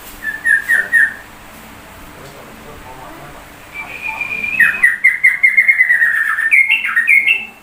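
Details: Sooty-headed bulbul imitating white-rumped shama: a short whistled phrase, a quiet gap, then a long loud sequence of sweeping and trilled whistles building to higher notes.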